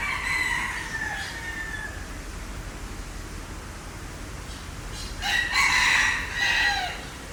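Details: Green peafowl calling: a fading harsh note at the start, a quiet stretch, then a loud, ringing two-part call near the end, steady low hum throughout.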